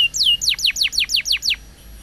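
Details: A canary heard on a recording that urges other canaries to sing: seven clear, steeply falling whistled notes repeated in quick even succession before fading.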